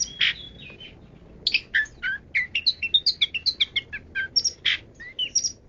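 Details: Long-tailed shrike giving 'kaya rasa', richly varied song: harsh rasping bursts open, followed by fast sequence of chirps, squeaks and slurred whistles, several notes each second, with loud harsh notes mixed in.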